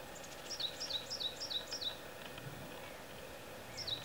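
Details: A Varied tit perched on a tree branch gives a quick run of five high, thin, downslurred notes about three a second, then one more after a pause, over background hiss; the calls may actually be from a nearby Japanese tit.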